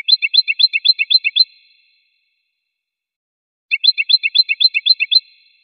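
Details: Goldfinch song: two identical bursts of rapid, liquid twittering notes, each lasting about one and a half seconds, with a regular bouncing rhythm at fairly high pitch and a clean pause between them.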